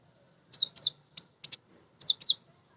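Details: Lure song of a female sunbird aimed at untrained birds: two pairs of clear, high, downslurred chirps separated by two short sharp ticks, in quiet surroundings.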